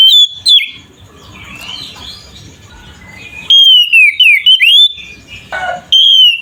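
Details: Oriental magpie-robin in aggressive ngeplong song used to goad other magpie-robins: brief whistles at the start, a long quieter gap with faint background sounds, then a burst of loud swooping whistled notes and a harsh buzzy note.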